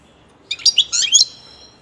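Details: Pet European goldfinch singing: a quick burst of twittering, tinkling notes high in pitch with fast frequency sweeps, lasting under a second in a quiet room.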